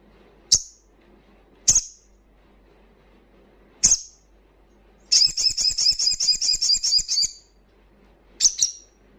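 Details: Crimson sunbird, loud ngalas song aimed at triggering breeding condition and aggression in untrained birds; isolated sharp high chips spaced a second or more apart, a rapid shrill trill of about two seconds, then another chip.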